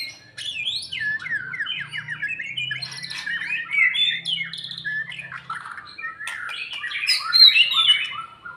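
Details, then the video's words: White-rumped shama kept after moulting, trained gradually toward fighting mood; a long, rapid run of downslurred whistles and harsh squawky chatter, very varied and irregular, louder toward the end, with a low hum early on. "Meningkatkan secara bertahap emosi dan fighter Murai Batu stlh mabung"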